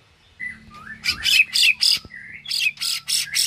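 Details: White-rumped shama singing its tembakan and isian song: a few slurred whistles, then a series of loud buzzy bursts at a rapid, uneven pace, over a faint low hum.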